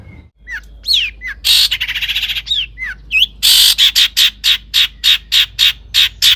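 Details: Long-tailed shrike in rich, varied song used to excite other shrikes: several sliding whistled notes and a rough churring burst, then a fast run of harsh, scratchy notes, several per second.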